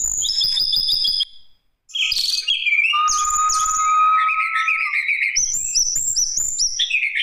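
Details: Lesser shortwing song used to lure other birds into singing: high whistled phrases, a long steady whistle near the middle, then bright rising and falling notes with quick chirps, with a brief pause after the opening.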